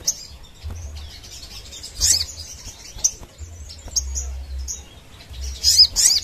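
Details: Crimson sunbird (Aethopyga siparaja) in full song: thin, very high chirps and twitters in scattered bursts, with sharper chattering runs near the start and end over a faint low hum.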